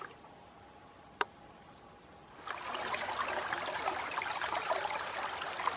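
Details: Near silence with a single sharp click, then steady trickling, bubbling water fills the second half.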